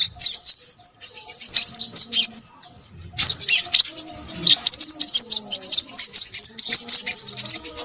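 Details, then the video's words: Noisy Crimson sunbird song of shrill, fast twittered trills. One long run is followed by a brief gap near the three-second mark, then the thin, high chatter resumes and continues to the end. "burung sepahraja ribut"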